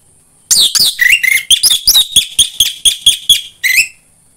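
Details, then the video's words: Orange-headed thrush song played to make a caged bird sing: a sustained series of about fourteen quick whistled notes, some sliding downward, others steady and ringing, ending with a rising flourish after a brief pause. "PANCINGAN AMPUH UNTUK BURUNG DIRUMAH UNTUK SEGALA JENIS ANIS MERAH SUAPAYA CEPAT GACOR"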